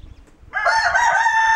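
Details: Kencana rooster, a homegrown hybrid of Ameraucana and Barred Rock, crows in a barn in January 2013, with a sudden, loud, harmonic-rich crow that bursts in after quiet rustling.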